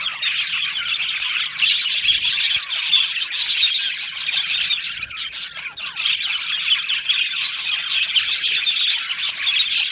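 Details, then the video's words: Aviary colony of budgies, with fast rattling chirps and warbles from many birds overlapping continuously, easing slightly around the middle before building again. "Budgie parrot chirping sounds"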